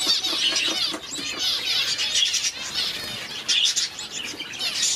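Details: One-day-old Society finch nestling hand-fed at home: high, insistent cheeping in quick bursts, wavering and buzzy, with brief pauses and soft handling noises.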